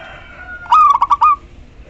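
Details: One short phrase from a female local zebra dove calling the male: five or six fast, throaty pulsed notes run together and finishing on a brief sustained coo.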